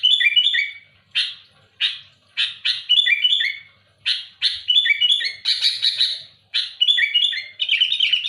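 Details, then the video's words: Loud sooty-headed bulbul challenging rivals with fast rough rasps and whistled descending phrases in quick succession, ending in a dense buzzy run of chatter. "Suara burung kutilang gacor keras aktif menekan lawan muntahin isian besetan kasar keras pedas"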